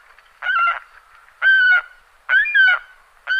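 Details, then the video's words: Saker falcon, an adult bird, calling with loud, harsh, buzzy notes, each held briefly, repeated roughly once a second; three full calls and the start of a fourth. "Балобан Falco cherrug Крики взрослой особи"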